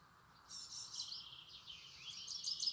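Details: European robin singing outdoors in high, thin, rapid warbling phrases that run on without pause for over two seconds. Faint low background noise is heard underneath.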